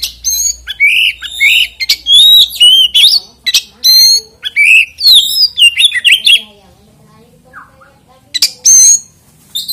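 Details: A loud oriental magpie-robin sings to draw other magpie-robins into song, delivering dense runs of sweet whistles and scratchy chatter for about six seconds, then near silence and one final burst.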